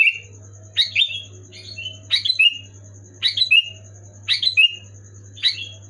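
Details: Sooty-headed bulbul singing loud and clear, played to get a sluggish pet bulbul to sing: short bright chirpy phrases, each a quick burst of dropping whistled notes, about once a second, over a steady low electrical hum and a thin high tone.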